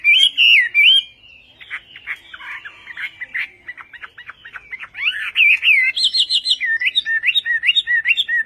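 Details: Chinese hwamei with a Vietnamese-style song: loud looping whistles, a pause of soft scratchy twitters, then rapid high notes and a steady series of bouncing whistled hooks.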